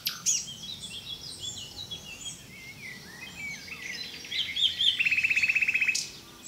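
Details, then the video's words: Common nightingale song with soft varied high phrases building to a fast, regular trill of about a dozen identical notes near the end. "Zingende nachtegaal"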